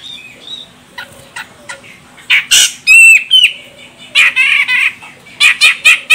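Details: Lure call of a female grey-cheeked bulbul, Medan type from Sumatra, meant to set a male singing: scattered ticks, then loud rasping bursts, a clear whistled slur, and quick runs of harsh chattering notes.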